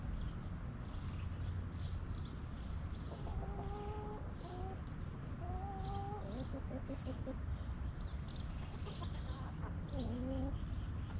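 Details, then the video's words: Backyard chickens relaxing in their coop: a few short, tonal, slightly rising clucking notes come in bursts around three, six and ten seconds, set against a loud, steady low hum throughout. "Rooster Crowing! Hens Clucking!"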